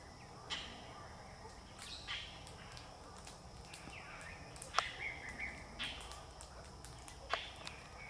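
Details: A bunch of galahs on a car park at Berry Springs Nature Park, Northern Territory, Australia, 10-12-2023, give scattered harsh, screechy calls at irregular intervals, some with quick rising or falling notes, over a steady background hiss.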